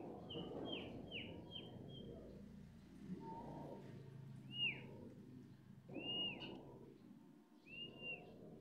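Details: A kept starling gives a series of clear, downslurred whistled notes, first in a quick run of four, then spaced singly every second or so, over a steady low background hum.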